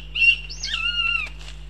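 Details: Goshawk in Riga, Latvia: one drawn-out, wailing whistled call, briefly rising and then holding a steady pitch for about a second before breaking off, over a faint low electrical hum.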